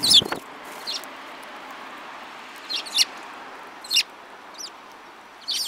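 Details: Eurasian tree sparrows, several birds, recorded on 7 March 2018; a handful of short, high, thin chirps scattered across the seconds with gaps between them, over a steady background hiss.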